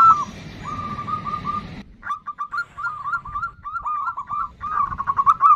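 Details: Female zebra dove using the nutut call toward a male: brief husky coos partly masked by hiss at the start, then clearer quick bursts of clipped, rising notes.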